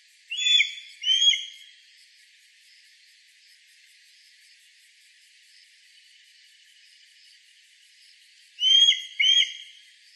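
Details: A mountain hawk-eagle, recorded on 27 September 2017 in Shirataka, Yamagata, Japan, gives high, clear whistled notes in quick pairs, sliding slightly down; one burst opens and another closes the recording, with a faint steady hiss between.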